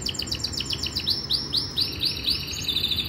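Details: Powerful training song from a Yorkshire canary: a run of quick downward-sweeping chirps repeated in a brisk series, then a high sustained rolling trill, with faint low hum behind.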